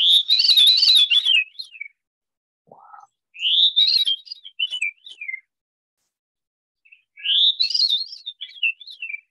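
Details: Veery song, New Jersey: three airy, whirling phrases spiral downward with ringing, overlapping tones, the bird singing in harmony with itself, about three seconds apart, with a brief low note between the first two.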